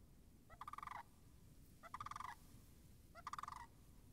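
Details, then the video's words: Sandhill cranes by a marsh whose puddles were still frozen, March 26, 2019: three clear, rolling, trumpeting rattles, each about half a second long and starting with a brief rising note, spaced roughly 1.4 seconds apart over soft background hiss. "Wetland Marsh Audio - Sandhill Cranes"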